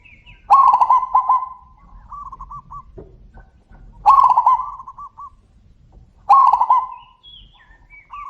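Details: Zebra doves calling back and forth with big voices: three loud, burred coo phrases about three seconds apart, each trailed by quieter rolling answering notes at similar pitch.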